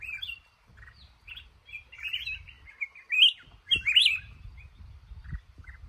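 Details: Trapped male red-whiskered bulbul in a cashew garden sings warbled phrases that swell into loud, bubbling notes, over steady low rumbling and a couple of knocks.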